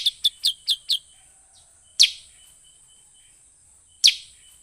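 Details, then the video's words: Lure call of a sooty-headed bulbul for drawing in wild birds: a quick run of five bright chirps, then two louder, sharp chirps about two seconds apart, with a constant high-pitched hiss behind. "suara pikat burung kutilang sutra paling ampuh"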